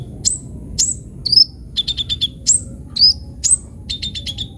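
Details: Kolibri ninja, a sunbird, in lively full song for training other birds: thin, very high chirps sweeping downward alternate with rapid bursts of repeated short mid-high notes, spaced by brief pauses, with faint low background rumble.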